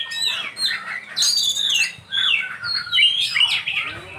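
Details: Oriental magpie-robin (kacer) singing its isian: a busy stream of sweet whistles, chirps and fast warbles, with short breaks between phrases.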